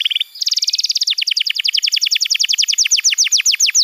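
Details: Canary tutor song meant to get young canaries singing: a short high trill, a brief pause, then a long rapid series of sharp downward-sweeping chirps that gradually slows while staying loud.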